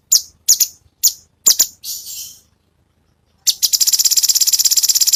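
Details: Cucak cungkok song used as master song for training songbirds such as murai batu and cucak ijo; a besetan-style recording. Harsh, high, rasping chip notes come in short bursts, then a pause, then a fast even buzzing rattle of repeated notes.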